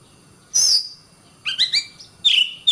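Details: Tutor recording of an Oriental magpie-robin for training contest birds: a shrill high note, then short paired whistled slurs, each phrase separated by brief silence.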